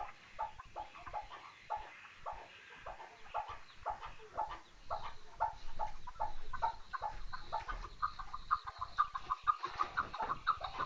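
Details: Chukar partridge calling: a long run of short, clucking notes repeated about twice a second, growing louder and more tightly packed toward the end.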